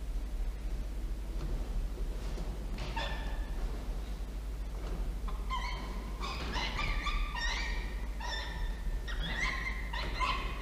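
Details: Peregrine falcon nestlings about five weeks old at the nest, recorded by nest camera at 5:47 pm on 7 November 2023. After quiet rustling, there are rapid harsh, wailing, ringing calls in overlapping bursts, with a steady low hum throughout.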